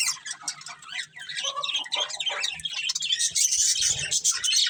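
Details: Pet budgies from a breeding pair keep up steady, fast twittering that turns brighter and denser toward the end, with varied warbled notes and a brief low knock late on.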